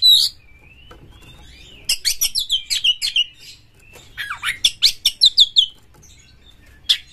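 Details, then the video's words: Oriental magpie-robin champion bird in full, agitated song with tail spread, a lure for stirring other magpie-robins. A soft drawn whistle, then quick runs of sharp chirps and trills in two bursts. "Pancingan Kacer Juara Gacor FullEmosi Buka Ekor KONSLET memancing KACER LAIN"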